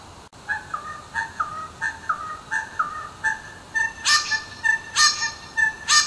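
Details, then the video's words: Little wattlebird in Melbourne, heard about 5am almost every morning as a wake-up call: harsh, gurgling notes about once a second, growing louder, more raucous and raspy toward the end. "The Little WattleBird - aka Natures Alarm Clock"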